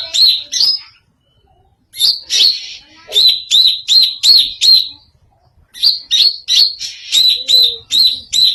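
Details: Greater green leafbird giving an odd song, rapid bursts of sharp high whistled notes, each slightly rising then falling, delivered in runs of five to eight with brief silent gaps between runs.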